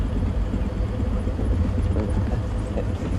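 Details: Loud, steady low rumble of a vehicle engine outdoors during a sunrise safari drive, with no animal calls heard.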